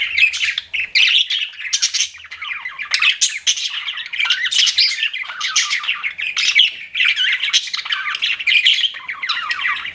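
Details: Continuous warbling chatter from pet budgerigars: bright squeaky chirps and scratchy twitters packed tightly together with barely a pause.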